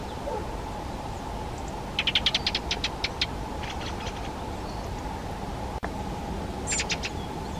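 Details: Fieldfare (Turdus pilaris) giving a dry, harsh chattering run of about eight rapid clicks, then a shorter burst of four near the end, over a steady low hum.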